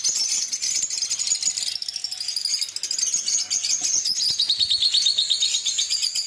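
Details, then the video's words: Lovebirds, small social parrots, singing and chirping: a dense, continuous chatter of high twittering and squeaky chirps from several birds, with rapid trills and long sliding high whistles, no pauses throughout. "LoveBird Singing & Chirping Sounds"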